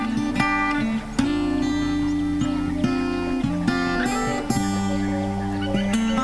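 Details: Strummed acoustic guitar music plays throughout, with no animal voice heard.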